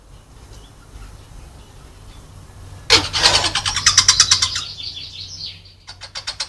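Blue whistling thrush giving a harsh, high screech that breaks into rapid scratchy notes, then a short burst of similar notes, over a low engine hum.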